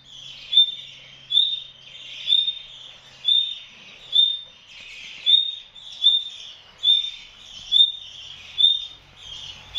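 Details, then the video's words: A female common nightingale in a wire enclosure over her young in the nest gives a thin, high, upslurred whistle, repeated steadily about once every second, over a faint background hiss. "The sound of the female nightingale"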